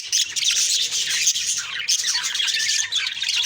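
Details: Short burst of budgie chatter from a morning on October 2, 2023: loud, dense, squawky warbling and chirps with no quiet gaps.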